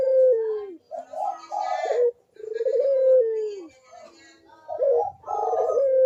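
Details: Repeated Barbary dove cooing, about 21 phrases a minute, played to encourage lazy doves: long low coos sliding down, separated by higher choppy phrases from several overlapping birds.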